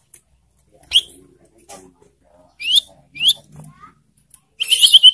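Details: Ashy tailorbird lure call used to provoke birds and stimulate breeding arousal: sharp, high chirped notes in short separated bursts, some rising, ending in a dense buzzy chattering run, with faint low murmuring between.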